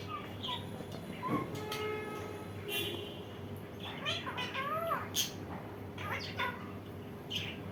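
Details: An Indian ringneck parakeet mixes twisting nasal notes with brief harsh bursts and clicks, irregularly spaced across the recording, while a continuous low hum runs underneath.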